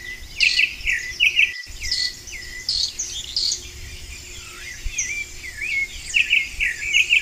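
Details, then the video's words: Wild Vermilion flycatcher in full song: quick paired chirps repeated in short bursts, then a run of upslurred whistles and more doubled notes near the end, over a constant high insect drone. "BURUNG KICAU"PAPA MOSCOS"(KICAU MANIA)Gacor di Alam liar"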